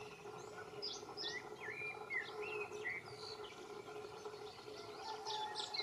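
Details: Canary Islands chiffchaff at Valleseco, Gran Canaria, in May 2022, giving quick, bright chirping notes, some sharply rising, in an uneven run over a steady low hum; other small birds may join in.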